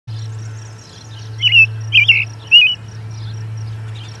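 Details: American robin singing near the Charlo osprey nest on June 10, 2020, at 11:57am MDT as an osprey returns; three short warbled phrases in quick succession mid-clip over a steady low hum.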